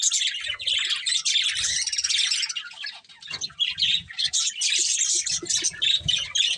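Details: Two budgies kept for breeding pour out a steady stream of high, raspy chirps and warbled chatter, dipping briefly in the middle before resuming.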